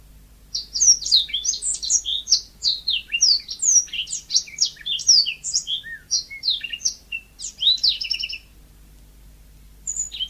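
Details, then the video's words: Yellow-fronted canary in lively, natural song: a long, unbroken string of quick, high, sweet twitters and downslurred whistles lasting about eight seconds, followed by a pause and a couple of short notes. "Kicau burung mozambik gacor alami"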